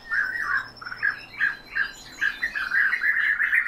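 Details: Loud, close trilling calls from aviary European bee-eaters follow each other rapidly, nearly three per second, the burry notes running together toward the end into an almost continuous chatter.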